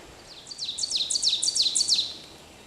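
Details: Ovenbird singing in Pennsylvania: a quick series of about seven sharp, two-part high phrases, each slurring downward, that grow steadily louder before the song stops abruptly. Faint background hiss.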